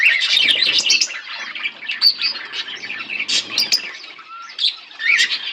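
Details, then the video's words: Budgerigar pair kept as pets chattering: a steady, high twittering warble full of quick chirps, with a short clear whistled note near the end and bursts of louder chirping. "Budgies chirping sounds"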